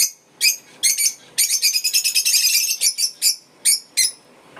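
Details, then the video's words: African lovebirds chattering: piercing, scratchy high chirps run together into a rapid continuous burst, then break into separate sharp notes spaced under half a second apart. "African love birds chirping sounds"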